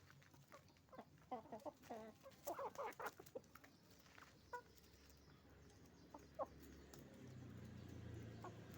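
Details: Hens and roosters at a chicken farm, several short clucks and squawks bunched in the first half, then scattered calls over a rising low rumble of background noise.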